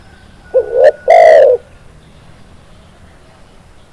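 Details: A single clear spotted dove (tekukur) phrase: a soft rising note, a tick, then a strong sustained coo lasting about half a second. Silence follows except for a faint thin whine and the start of another phrase.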